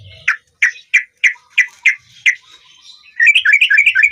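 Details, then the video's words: Sooty-headed bulbul singing eagerly as in the wild: seven clipped chirps spaced about a third of a second apart, then a fast, jumbled burst of bright warbling notes to close. "Merdunya suara burung TRUCUKAN kayak di alam liar"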